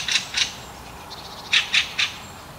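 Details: A fieldfare calling at night after midnight, when fieldfares chatter in chorus: harsh, dry chattering notes, six short rasping bursts in two groups over about two seconds, with a faint hiss behind.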